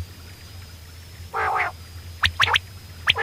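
A female common quail gives a harsh, raspy burst followed by several short, sharp clipped notes, over a steady low hum and a faint high whine.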